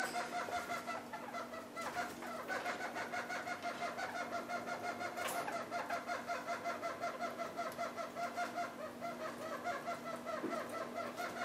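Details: Red-crowned parakeet pair eating half-ripe willow seeds: a long, even run of quick clucking notes, roughly three each second, interrupted by a couple of sharp crackling snaps.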